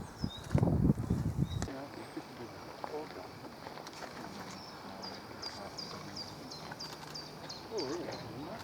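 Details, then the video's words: A male Common Nightingale, in full view in the sun, sings a fast run of about ten high, down-slurred notes, roughly three per second, while another male sings just opposite. A loud low thump and rumble open the clip, with background murmur throughout. "A Nightingale Singing"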